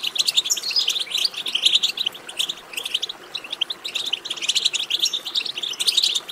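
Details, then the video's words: European goldfinch song used to stimulate other goldfinches to sing: lively, high twittering phrases of rapid chirps and trills, delivered in dense bursts separated by brief pauses. "بتبتة ماهرة في تحفيز الحسون على التغريد"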